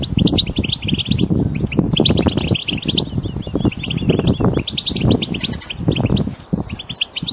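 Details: Wild European goldfinches in group twittering, meant to prompt a silent goldfinch to sing: dense, overlapping high chirps and short tinkling notes pour out almost continuously, with a heavy low rumbling noise underneath throughout.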